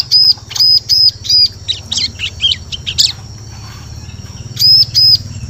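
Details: Forest lure call of a bar-winged prinia: a quick series of sharp, high, arched notes, then jumbled scratchy twitters, a quiet gap, and two more clear chirps at the end.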